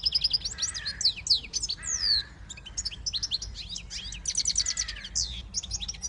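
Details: Siskin x goldfinch hybrid pouring out song: dense rapid twitters, downward-sweeping whistles and buzzy trills with a brief pause midway.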